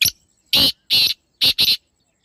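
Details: Calling black francolin, a natural recording: loud, coarse notes heard close up and somewhat distorted, with one clipped note, then two long rasps and a final close pair, in an otherwise silent background.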